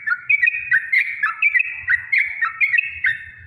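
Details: Rapid bubbling song of a Yellow-vented bulbul, meant to stir other bulbuls to answer, made of quick liquid whistled phrases repeated in a steady, slightly uneven run over faint low rumble.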